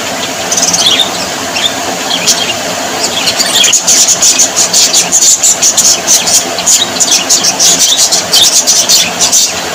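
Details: Budgerigars in cheerful mood give high chirps at first, then a rapid run of clicking, ticking chatter repeated about three times a second over a constant background of squeaky warbles.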